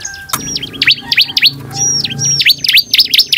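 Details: Bar-winged prinia singing energetically, used as a lure recording to provoke other prinias to respond: rapid series of sharp, high V-shaped chirps, with a few long steady whistled tones in the background.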